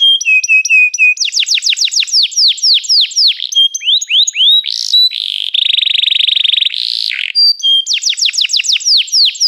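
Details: Canary singing a varied song: tours of rapidly repeated, high downward-sweeping notes, a dense buzzy trill in the middle, then another fast series of falling notes to finish.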